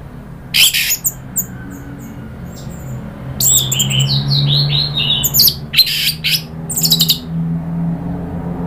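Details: Orange-headed thrush stirred into agitated rattling and loud song as a lure recording: scattered sharp clicks, then a rapid series of descending whistled slurs broken by harsh chattering bursts, over a low steady hum.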